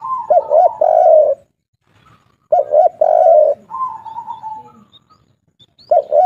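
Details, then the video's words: Spotted dove, local wild-type voice of the three-note style called kuk 3, used to spur caged doves into singing; soft cooing notes then a long drawn coo, repeated in phrases roughly every two to three seconds. "Derkuku kuk3 lokal gacor ngamuk suara besar"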